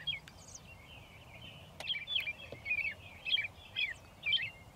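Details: Singing American robin on a pile of railroad ties by the railway, Shiloh, Illinois, 6 April 2024, near dusk; a thin drawn-out note then several loud, lilting warbled phrases about every half second.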